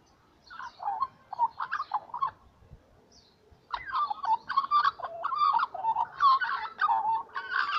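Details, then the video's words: Little magpies singing in the morning, loud and close: bubbling, yodelling warbles in quick bursts, then a short pause before a longer, richer run of fluting, gurgled notes. "Littlle magpies singing in the morning"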